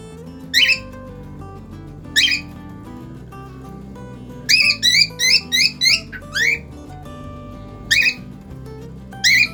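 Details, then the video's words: A cockatiel in its cage gives short bright chirps, first spaced about one and a half seconds apart, then a rapid run of six or seven notes, with soft music playing underneath. "cacatúa ninfa cantando en su jaula"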